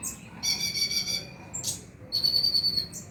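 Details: Oriental magpie-robin song meant to stimulate night-time singing: long buzzy, ringing notes with rich overtones, each held for about half a second, broken by short harsh chirps.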